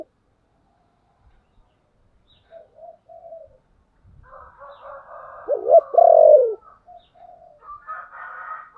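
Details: Spotted dove giving the low 'chìm' lure coo: soft short coos, then a loud, deep, slurred coo phrase near the middle, with thinner chirping from other birds above and around it.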